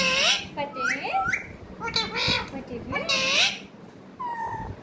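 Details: Parrot talking in a string of quick, word-like syllables, some bright and harsh and others sliding upward, with pauses between bursts and a single clear whistled note closing the sequence; faint low hum behind.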